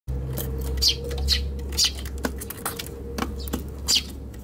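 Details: Eurasian tree sparrows fighting in a box on a balcony on 7 July 2021 (Tanabata), recorded on an RX100M5A camera: short bright chirps repeated about twice a second, over a steady low hum and scattered knocks.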